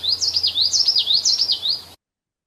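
Common Yellowthroat song: a bright, rolling witchety-witchety-witchety, three quick high phrases repeated about twice a second, with faint background hum.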